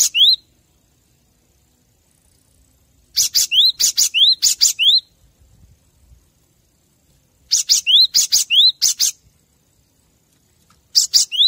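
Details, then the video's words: Cinereous tit master song for training caged birds: three phrases of quick, high, sharp notes mixed with rising whistled slurs, each phrase lasting about two seconds, with silent gaps between. "Masteran gelatik batu agar makin gacor"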